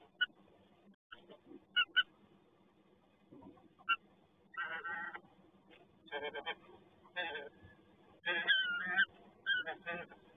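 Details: Peregrine falcon at Toruń, Poland, on a rainy morning: harsh, grating calls in bursts of about half a second, with sharp short notes, repeated irregularly, growing more frequent toward the end.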